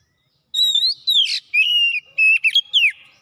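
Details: Oriental magpie-robin showing off its repertoire in gacor singing: a wavering high whistle, a rough buzzy burst, then level whistles and quick twittering notes ending in a downslurred whistle, with no other sounds.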